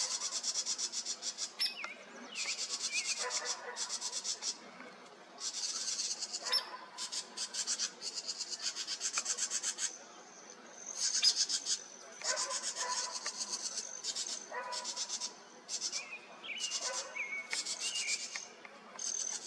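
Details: In July 2023, house wrens in a nearby tree scold with harsh, rasping chatters in repeated bursts, sounding the alarm at a red fox sitting close by.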